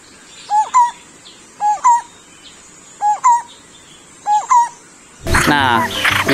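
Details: A captive Lineated Barbet (bultok) in breeding condition gives four paired, hollow, low 'bul-tok' notes about every second; the voice resembles a zebra dove's, and a man starts talking at the end.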